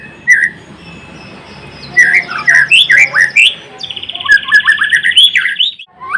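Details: Energetic white-rumped shama song, blorok variety, with rapid bright whistled phrases that jump between pitches, a buzzy level trill in the middle, then more quick slurred whistles.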